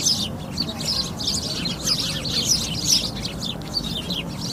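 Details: Sparrows chirping: dense, overlapping high chirps and tweets repeated continuously by several birds, with low background rumble.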